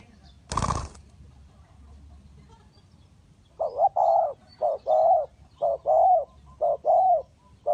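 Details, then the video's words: After a sharp knock, a spotted dove decoy at a bird trap starts a steady series of soft, rounded coos, in pairs and singles about once a second, over a faint low hum. "The Sound Of the dove"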